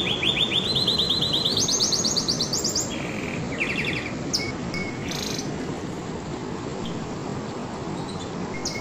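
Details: Canary song: fast, even trills of repeated notes that step upward in pitch in the first three seconds, then scattered buzzy bursts and short whistles over a steady low rushing background noise.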